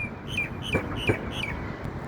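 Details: Common myna climbing a pipe in strong wind that nearly blows it off, looking left and right, gives a run of short whistled notes, each sliding down from about the same high pitch, roughly three per second, over steady low hum.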